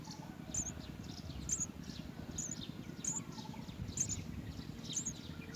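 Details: House sparrow nestling at the nest repeating high, thin squeaky chirps about once a second, evenly spaced, against a steady low rumbling background.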